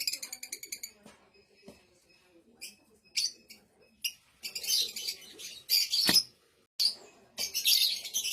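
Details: Blue-coloured Fischer's lovebird chirping and singing, opening with a fast ticking trill, then scattered sharp chips building into long, dense, scratchy chattering phrases separated by brief silences.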